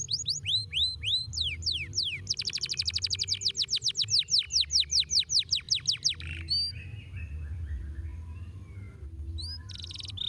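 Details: Domestic canary opens with loud falling whistled notes, then runs into long fast rolls of repeated sweeps accelerating and pulsing, followed by softer scattered chirps; a low steady hum underlies the song.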